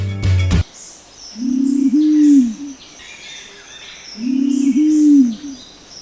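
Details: Green Imperial Pigeon in Sri Lanka giving two deep, hollow, grunting coos, each about a second long and a few seconds apart, with faint high insect or bird sounds behind.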